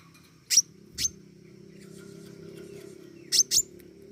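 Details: Very high, piercing tick notes from a pentis raja flowerpecker singing energetically, two spaced single notes followed later by a rapid double tick, with a continuous low electrical-sounding hum behind.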